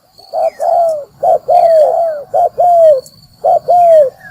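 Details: Trapping-lure spotted dove: a short burst of loud, rich coos, each pair a brief note then a long smooth downward slide, over a faint low rumble and a thin high whistle.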